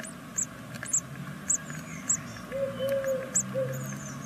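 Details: Great tit nestlings of a second brood, six days old, in a nest in Veszprém, Hungary, give thin, very high chirps about twice a second, with a few soft, low, hooting notes and a steady background hum.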